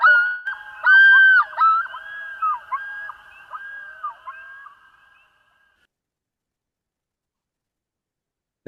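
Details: A common loon's yodel, one of its various yodels, used to defend territory: loud, wavering, repeated phrases that swoop up and down for about five seconds, then silence and a brief click at the end.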